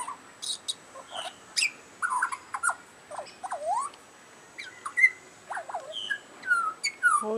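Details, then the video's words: Butcherbird singing, apparently calling for its dinner: a run of varied, fluty whistles with clear swoops rising and falling, short chirps and a few sharp high notes, with quiet pauses between phrases. "butcher bird singing"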